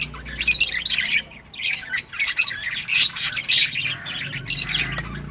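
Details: Lovebirds of several colour mutations calling together, a flock chattering in harsh, squawky chirps: dense bursts of rasping, high notes in irregular clusters with short pauses between them.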